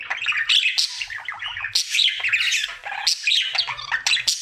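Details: Male pet budgerigar in his daily happy song: quick twittering chirps and scratchy chatter in lively phrases, steady and loud throughout.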